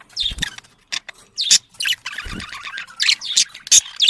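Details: Domestic budgerigars, breeding-stimulation chatter: sharp squeaks, buzzy warbles and rapid chirps mixed with a few low thumps.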